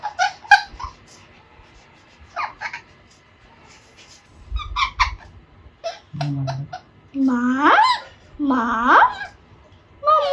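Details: A two-and-a-half-month-old Alexandrine parakeet, young and learning to talk, gives harsh rising-falling squawks, some with buzzy harmonics, mixed with short clicks and a person's voice indoors.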